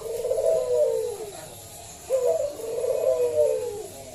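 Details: Local zebra dove with a strong voice, used to prompt other doves to sing: two drawn-out, rolling low coos, each swelling and then sliding down, separated by a short pause.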